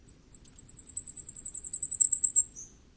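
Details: Common firecrest: a long, steady string of around twenty very high, thin, rapidly repeated notes, swelling in loudness and ending with a short lower slur.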